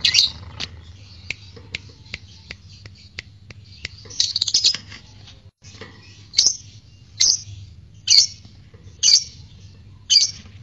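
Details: Fighter lovebird used as a lure to test and excite lovebirds into ngekek: a run of sharp clicks, then a burst of squawking, followed by six evenly spaced high, harsh chirps about once a second, over a low hum.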